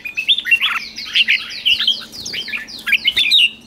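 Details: Caged red-whiskered bulbul singing during morning training, lively chirped and whistled phrases overlaid by repeated high, descending buzzy notes from other birds in the background.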